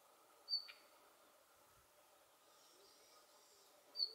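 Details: Male Siberian bluechat giving its call notes, filmed on 10 December 2019: two short, high, thin whistled notes about three and a half seconds apart, the first followed by a soft click, over a quiet background.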